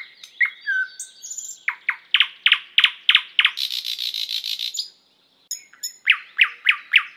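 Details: Thrush nightingale song with varied whistles and a slurred note, a run of loud repeated clipped notes, a long buzzy rattle, a short pause, then more sharp falling notes.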